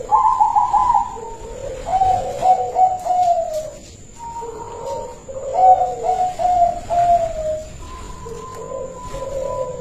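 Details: Silver-plumaged local zebra dove, kept and in full voice, sings loud melodious phrases: trilled, bubbling coos stepping down to softer purring notes, three phrases separated by brief pauses, over a constant faint high-pitched hum.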